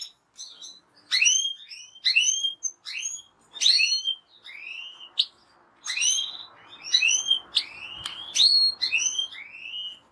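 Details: Goldfinch giving a string of rising, whistled, curving notes about once a second, becoming faster and more twittering in the second half.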